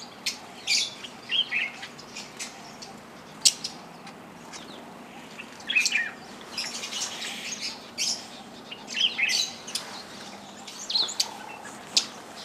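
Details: Fischer's lovebirds, many likely hybrids with yellow-collared lovebirds, at a feeder at Lake Elementaita, Kenya, give shrill, high-pitched chirps and squeaky chatter in short, overlapping bursts every second or so, with some wing flutter.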